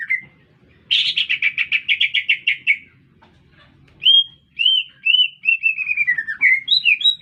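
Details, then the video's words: A green leafbird singing energetically in the middle of a city: a fast rattling run of buzzy notes, then a pause and a string of clear whistled slurs, some rising and some falling, over a faint low hum. "Cicak Ijo Gacor"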